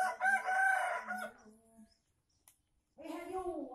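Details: Crow of an Aceh junglefowl used as a lure for wild birds: a loud, coarse call opening the recording and fading after about a second, a pause, then soft wavering tonal notes resume.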